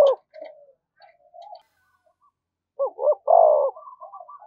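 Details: Decoy spotted dove calling to provoke fighting: faint soft notes first, then two short rising notes and a loud long falling coo, followed by quieter trailing coos.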